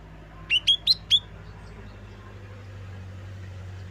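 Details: Lesser green leafbird giving four rapid, sharp whistled notes in a row, used to provoke green leafbirds ahead of contests, over a constant low mechanical hum.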